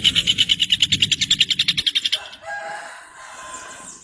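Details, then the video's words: Rufous hornero giving a quick, pulsing series of loud ringing notes for about two seconds, which then stops abruptly and leaves softer, indistinct background sounds. "CANTO DO JOÃO DE BARRO 🐦 SOM DO JOÃO DE BARRO CANTANDO"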